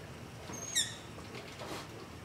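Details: A single brief, high, thin squeak, slightly falling, over a soft hiss and faint rustling, recorded in darkness near a house; identified by a phone app as a long-eared owl begging call.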